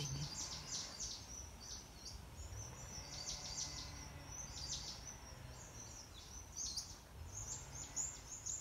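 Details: Honeyeaters singing in November 2020: a busy run of high, thin chirps and twitters in quick clusters, over a steady low rumble.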